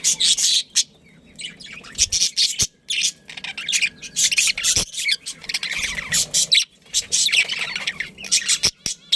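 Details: Budgerigars, a pet breeding pair, keep up harsh chirping chatter in uneven bursts with brief silences, including a few sharp clicks.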